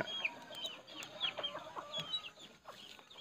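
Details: A pet Puling bird, let out of its cage at midday on 6 September 2020 to hop excitedly on the ground of a home yard among chickens, chatters in squeaky chirps and short down-slurred whistles, several overlapping each second, high-pitched and continuous.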